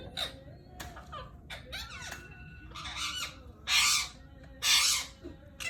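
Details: A pet Indian ringneck (rose-ringed) parakeet trying to mate gives harsh, screechy squawks and chattering notes, with two loud raspy bursts near the end.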